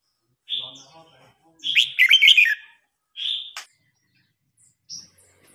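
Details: An older wild-caught red-whiskered bulbul challenges a young bird in a singing contest. A short whistle leads into a loud, jumpy warbled phrase, followed by a single clear note and a faint high chirp.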